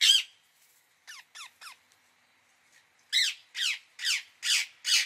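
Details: Indian ringneck parakeet giving harsh, grating screeches: one loud call, a pause, three softer squawks, then five loud ones in a quick run about twice a second, each rasping and downward-sweeping, in a quiet indoor setting.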